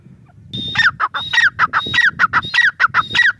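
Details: After a brief quiet start, a grey francolin launches into rapid rhythmic calling: high whistled notes alternating with coarse, falling syllables at a quick steady pace.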